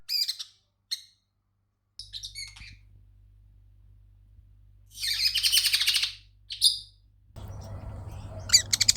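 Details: A pet Pacific parrotlet gives an alarm call at something outside it sees as a threat: sharp, high chirps in short bursts, then a harsher, buzzy rasping burst and more squeaks, over a low hum and rustle.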